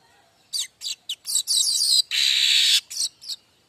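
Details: Streaked weaver (manyar kembang) singing as a tutor model for other weavers: quick high chips leading into a long, harsh, buzzing wheeze, followed by a few short scratchy notes.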